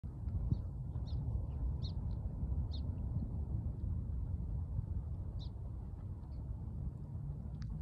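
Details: Little bird met on a hike, chirping: short, sharp, high chirps at uneven gaps, several in the first three seconds and a few more later. A steady, low wind-like rumble fills the background.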